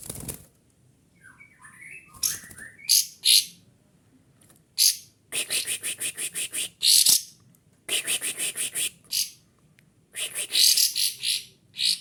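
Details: Agitated kapas tembak, a white-eye, singing loudly while seeking a rival, spreading its tail: bursts of sharp, very high rapid chattering notes, some runs of about six to eight quick pulses, separated by brief silences.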